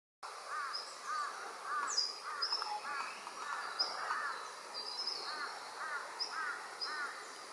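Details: Rainbow lorikeets (Trichoglossus moluccanus) inspecting a possible nesting site in Doonan, Noosa Biosphere Reserve, give a steady run of nasal chattering calls about twice a second, with thin sharp chirps from other birds.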